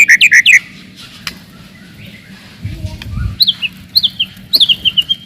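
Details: Murai batu (white-rumped shama) song played to stir rivals' aggression and test young birds: quick descending whistled notes, a brief low rumble, then repeated short falling high whistles in a quick series.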